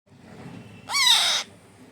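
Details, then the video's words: A 25-day-old parrot chick during hand-feeding gives one harsh, rising-then-falling rasping squawk lasting about half a second, against a quiet low background hum. "baby parrot 25 days handfeeding"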